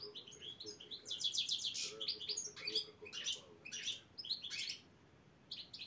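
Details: Competition goldfinch of the black-headed type at Saint Petersburg qualifiers, chir-chir song: a fast sequence of high liquid chirps and dense trilled phrases that stops briefly near the end before a final short twitter.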